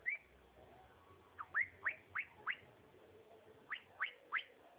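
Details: Singing cockatiel: one clear rising whistle, then a run of four steeply upslurred notes and, after a pause, three more, evenly spaced.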